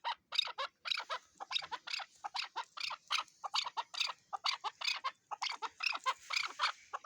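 A chukar partridge gives harsh, clucking chuk notes, about four to five a second in a steady run, over a faint high hiss.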